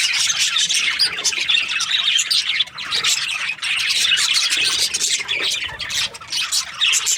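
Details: Parakeets (budgerigars) in breeding season, many birds calling at once: busy high chirping and scratchy squawks, with a brief dip in the chorus near the middle before it resumes.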